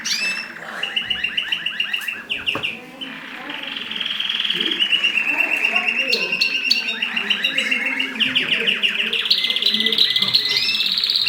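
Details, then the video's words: Mosaic canary courtship while pairing for breeding: long rattling trills and fast repeated notes, ending in higher sustained rolls, over constant background noise and low voices. "تزاوج طيور الكناري المزييك"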